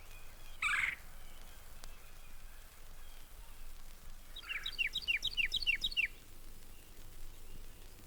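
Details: Red-bellied Woodpecker, the most common woodpecker at the Mountain Lake Sanctuary in Florida: one loud harsh note, then after a pause a rapid run of about nine sharp, downward-slurred chattering notes.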